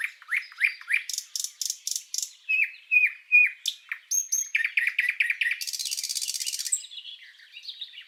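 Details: Common nightingale singing, a recording for tutoring cage birds: series of rising chirps, repeated loud notes, a few pure whistled tones, then a fast buzzy rattle trill before softer warbling.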